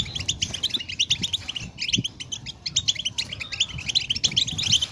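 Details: Goldfinch song for stirring caged goldfinches to sing: quick, high, jingling twitters packed tightly together, with soft low thumps in the background.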